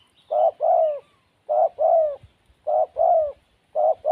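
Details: A wild, somewhat timid spotted dove cooing: short rising note joined to a longer descending coo, repeated in even pairs with brief pauses between.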